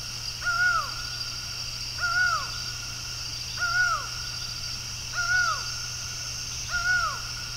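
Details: Laughing falcon calling before dawn on 27 October 2023 in Brasília, Brazil: ringing, arched two-tone notes repeated about every one and a half seconds, with a steady insect hiss and a low hum underneath.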